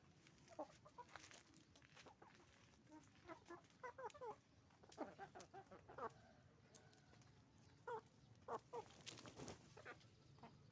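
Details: Chicken farm with roosters and hens: scattered short clucks and cackles from many birds over a steady hum, bursts spaced irregularly, with some clicks and knocks.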